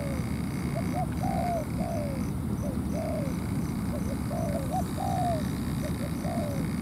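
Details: Decoy spotted dove on the ground drawing a wild dove in to fight for territory, giving a run of soft hooked coos in paired and tripled notes, over a steady low rumble.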